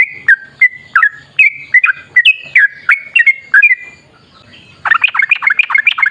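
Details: Yellow-vented bulbul giving energetic 'ropel' song meant to provoke other bulbuls into singing: clear whistled slurred notes roughly twice a second, a brief pause, then a fast burst of tumbling chattered notes.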